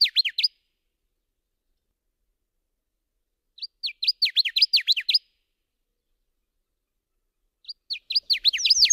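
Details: Song of the Subalpine warbler, Sylvia cantillans: three quick chattering phrases roughly four seconds apart. Each is about a second of dry, high, down-slurred notes tumbling rapidly, with no other sounds around.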